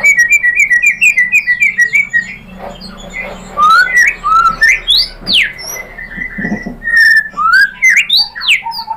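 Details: Lure song of a white-rumped shama, used to stir other shamas to sing: nearly continuous rapid chirps followed by long swooping whistles and varied sliding notes, over a faint low hum.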